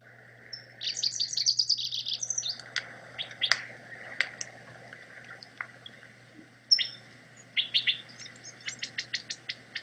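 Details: A rufous-crowned sparrow in chaparral at Rubio Canyon, Altadena, opens with a fast, bubbly, high chatter, then scattered sharp chips and repeated clear notes; Bewick's wren and California quail call faintly, plus a high call possibly a California towhee.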